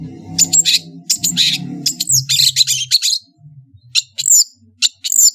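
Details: Long-tailed shrike from Madura delivering a dense varied song: rapid rasping chatter mixed with thin downslurred whistles, a short pause, then sharp whistled notes; a low hum runs beneath.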